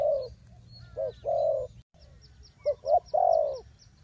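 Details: Decoy spotted dove calling to draw wild birds into a trap: rounded low coos, a brief pair of notes then a drawn-out falling coo, heard twice with a short break between.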